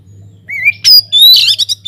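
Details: Singing white-rumped shama inside an aviary, useful for coaxing other birds to sing: a wavering rising whistle followed by loud harsh buzzy phrases and clipped chirps, with a faint low hum.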